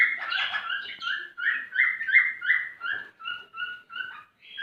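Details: Male cockatiel singing to stimulate a female to mate: a run of short whistled notes with a bright overtone, repeated about three times a second, some rising and some level, in a quiet room.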